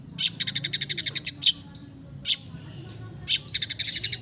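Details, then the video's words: High, dense chattering song from an East Java long-tailed shrike, relaxed and full of mimicked fill-ins: rapid rattling runs of sharp notes broken by a brief pause, then another fast chatter. "KICAU SANTAI CENDET JATIM GACOR FULL ISIAN"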